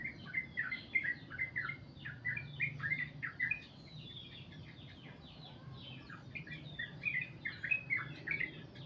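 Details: Sooty-headed bulbul, long 'goklik' song: bursts of quick bright chirps at the start and end, separated by a quieter stretch of softer scattered notes, with low background hum.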